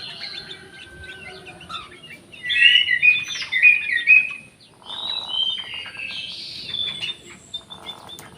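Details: Orange-headed thrush in an aviary giving a varied warbled song: bright whistled and twittering phrases rising and falling, a loud burst in the middle, softer chirps before and after, faint background hiss.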